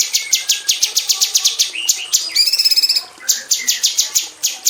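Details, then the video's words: Female grey-cheeked bulbul in an aviary cage, singing in the rapid-fire "tembakan rapat" style and kept as a tutor for magpie robins; fast bursts of sharp, high, evenly repeated notes break into a quick buzzy trill, then resume. "KICAU SUARA BURUNG CUCAK CUNGKOK BETINA TEMBAKAN RAPAT"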